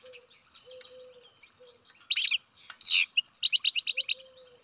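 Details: Hand-bred baby European goldfinch starting with soft scattered chirps, then breaking into louder sweeping notes and a quick rhythmic series of about six high chirps, over a faint low hum.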